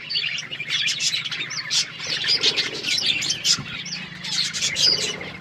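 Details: Several colour budgies keep up continuous bright chirping, quick twittering notes and brief whistles tumbling over each other without pause, plus a faint low hum underneath.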